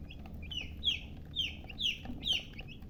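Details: Baby chicks of a hen chirping, clear descending peeps roughly every half second, each starting high and sliding down, with soft low background noise.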